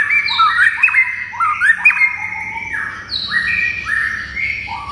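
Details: White-rumped shama in vigorous song meant to trigger other shamas into agitated replies: two rising, stepped whistled phrases with sharp accents, followed by long level whistles at several pitches.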